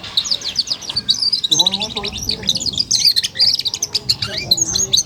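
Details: Four-month-old F1 SF canary delivering continuous ngeriwik twittering: fast high chirps and trills packed closely, with soft lower warbled notes underneath.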